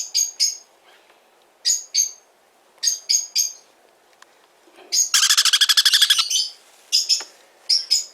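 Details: Young hand-tame sun conure in a Fukuoka, Japan, pet shop: paired sharp high chirps repeated at irregular intervals, broken by a one-second run of fast, harsh, buzzing pulses, then more chirps.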